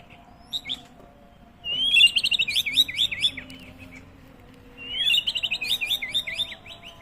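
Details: White-rumped shama singing in a recording meant to make other birds respond. Two loud, fast phrases of tumbling, twisting whistles, each about two seconds long, are separated by a brief quiet gap.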